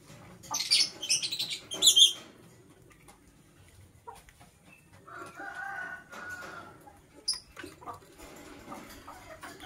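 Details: Green and blue masked lovebirds heard in the morning. Harsh, buzzy high screeches come in a tight cluster in the first two seconds. After a quiet gap, softer scratchy notes follow, with one more sharp squeak near the end.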